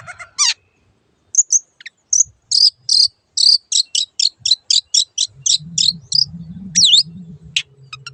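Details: Long-tailed shrike (cendet) master song for caged birds: a fast, even series of short harsh chips around twice a second, then twanging whistled notes, faint low hum later.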